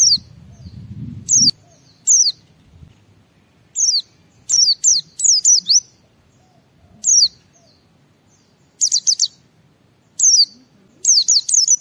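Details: Gacor white-eye (pleci) song to make other white-eyes sing, with scattered bursts of high, thin, sweeping whistled notes, singly or in quick groups of two to four, over nearly twelve seconds, with brief low noise at the start.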